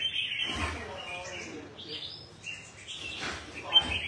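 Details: Red-whiskered bulbul, one of two newly acquired birds kept in Đồng Nai, Vietnam, giving short bright whistled phrases in several separate bursts, with a man talking nearby.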